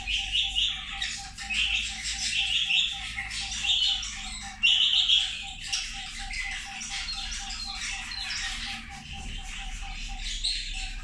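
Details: Zebra finches eating lunch give loud, nasal, buzzy calls in short clustered bursts every second or two, overlapping among several birds. A steady pulsing tone and faint low hum sit behind them.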